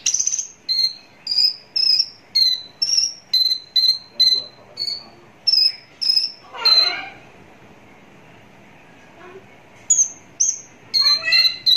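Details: ['Javan bush lark singing close up: a steady series of clear whistled notes, roughly two a second, alternating between two pitches, then a pause and a brief scratchy burst before more whistles.']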